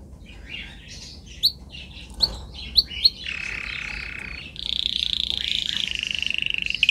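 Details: Canary song from a recording made for training other canaries to sing: a few sharp chip notes, then a steady buzzy rolled trill that switches to a higher, rapidly pulsed trill.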